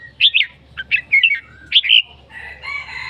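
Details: Red-whiskered bulbul singing: three bright, warbled whistled phrases in quick succession over two seconds, each rising and falling, followed by a thinner, buzzy sustained note with no other birds heard.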